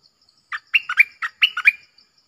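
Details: Red-whiskered bulbul singing a clear 'double song' style phrase: about seven quick, bright whistled notes jumping up and down, lasting about a second and a half, with faint insect ticking behind.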